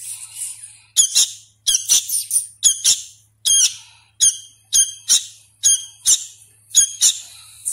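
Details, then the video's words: Sooty-headed bulbul fledgling, hand-fed and still learning to sing, calls insistently in rapid clusters of two or three raspy, ringing squawks, almost continuous, over a faint low hum. "suara asli kutilang anakan | burung kutilang loloh"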